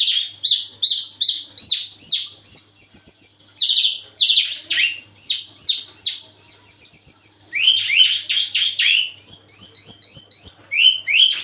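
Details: Branjangan, the Javan bush lark, singing in breeding condition and wanting to mate: a long fast stream of sharp upslurred chirps and short trilled bursts, varying in pitch, with a soft low hum behind.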